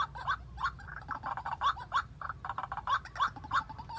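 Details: White-breasted waterhen giving harsh, nasal croaking notes, about three a second, in a steady grunting series over a low background rumble; a decoy bird used in trapping waterhens.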